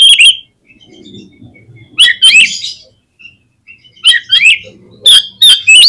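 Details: Oriental magpie-robin lure song meant to prompt quick replies and tail-spreading: short bright whistled bursts with slurred up-and-down notes, separated by pauses with faint low background rumble.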